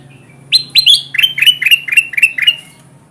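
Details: Energetic kutilang emas bulbul on a trapping lure recording meant to attract wild birds: a steady string of about ten sharp chirped notes, each sliding down, delivered rapidly over two seconds.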